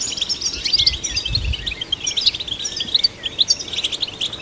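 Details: European goldfinch singing to stimulate goldfinches: varied twittering with slurred and buzzy notes, uneven pacing and short pauses, a brief low rumble early on.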